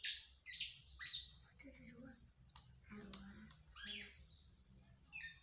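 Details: Kept black-naped oriole, said to resist care yet still sing actively, giving harsh, squawky, nasal calls in short bursts about every half second. Later calls are spaced more irregularly, with clicks and a low background hum.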